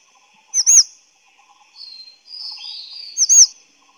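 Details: Grey-chinned Minivet (Pericrocotus solaris): two brief, very high, thin sibilant notes about two and a half seconds apart, with a softer, lower sliding whistle between them.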